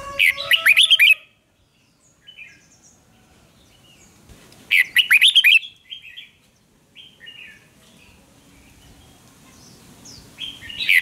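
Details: Red-whiskered bulbul singing a fiery duel song for voice training: two energetic phrases of quick, bright chirps several seconds apart. Scattered faint high notes fill the gaps, and a new phrase begins at the end.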